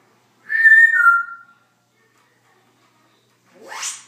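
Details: Pet Congo African grey parrot making noises: one clear, sustained whistle that steps slightly lower and fades after about a second, then silence, then a short harsh rasping sweep rising sharply in pitch.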